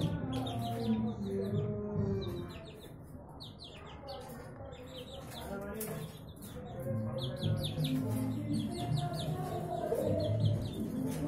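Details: A pair of ringneck (Barbary) doves give low, soft rolling coos over a steady hum, while small birds add quick high chirps in the background.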